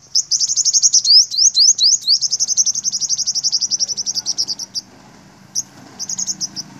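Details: Olive-backed sunbird males confronting dominant rival males: a fast, high, thin run of chirps, with some notes swept into quick rising slurs, then a pause and a few short bursts of chirping.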